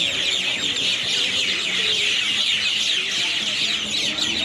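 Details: Birds calling noisily after dark from the same town tree at Airlie Beach, 2024: a thick, constant blanket of shrill, rapid chirps from many birds at once, with faint lower notes beneath.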